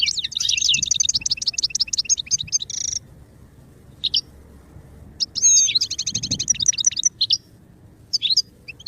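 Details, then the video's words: Goldfinch singing, used for song training: fast twittering trills and buzzy rattles high in pitch, broken by short pauses, then a few clipped single notes and another burst of rapid chatter. "Birdsong sound effect beyond support and inspiration goldfinch"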